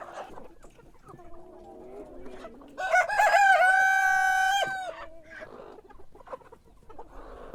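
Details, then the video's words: Rooster crowing in the morning: a single loud, sustained cock-a-doodle-doo lasting about two seconds, strongly harmonic and slightly falling at the end, preceded and followed by soft clucking and quieter hen sounds. "Sonido de gallo por la mañana // Cock crowing in the morning"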